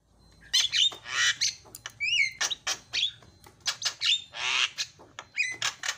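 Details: Harsh squawks and short whistled phrases from a Javan myna, including a repeated two-part whistle, used as a lure to make other mynas call.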